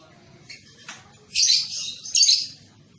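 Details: Young lovebird on a recording for training long ngekek song. Two faint short chirps come first, followed by two loud, rough, high bursts of about half a second each.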